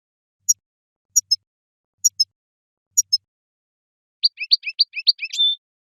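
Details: Goldfinch song: faint, very high paired pips repeated about once a second, then a fast tumbling burst of twittering notes ending in a short sustained whistle.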